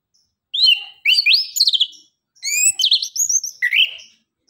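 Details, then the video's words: Anis kembang (orange-headed thrush) in energetic 'ngeriwik' gacor singing, used as a lure for reluctant singers: two phrases of swooping, upslurred whistles and squeaky twitters, separated by a short gap. "Anis kembang suara nembak,ngeriwik gacor"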